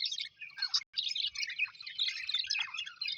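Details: Pet Australian budgerigars chirping: dense, overlapping warbled chirps and chatter, briefly interrupted once near the start, otherwise continuous twittering.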